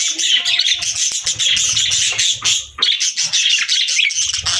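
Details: Happy budgerigars at a meal, several birds warbling continuously in a high, scratchy, fast chatter, with soft feeding taps and crunches underneath.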